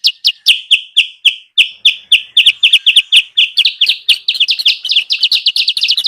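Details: Sooty-headed bulbul sound played as a lure for wild birds: steady sharp chirps at about four per second, slurred downward at first, then speeding into a denser, rattling chatter toward the end.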